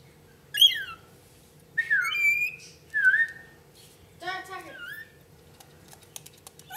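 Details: A lorikeet, apparently a pet, gives a varied series of whistled and squawky notes, some sliding down and some held level, with a buzzy chatter near the end and then light clicks over a low hum.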